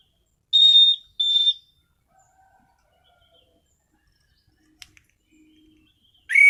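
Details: Orange-headed thrush in a cage gives two loud, flat whistled notes half a second apart, then a long quiet gap with faint clicks before another sharp rising whistle.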